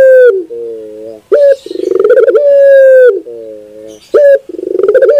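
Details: Puter dove singing at close range: a long steady coo gives way to a lower stuttering multi-tone phrase, then a rapid pulsed rolling coo. The pattern repeats within a few seconds, with no other sounds.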